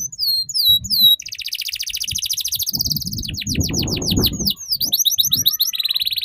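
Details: Tutor song of a canary for youngsters learning the ngeriwik trill: quick downward whistled notes, a long rapid rolling trill, a run of clipped rising slurs, and another buzzy trill. Faint low noise in the middle.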